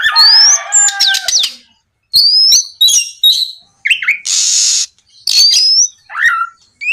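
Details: Oriental magpie-robin singing in varied gacor style, played to coax other magpie-robins into song; rapid high rising whistles, sharp clicks, slurred trills and a loud harsh rasping burst, phrases changing quickly with brief pauses.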